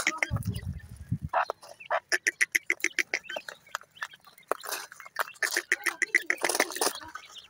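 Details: Male black francolin (teetar) making a rapid series of harsh, clicking notes repeated several times a second, with a low rumble at the start and dense scratchy bursts later.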